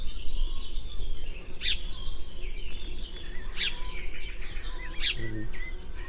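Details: House sparrow (Passer domesticus) call note: three short, sharp chirps about two seconds apart over a steady low hum, with a brief human voice near the end.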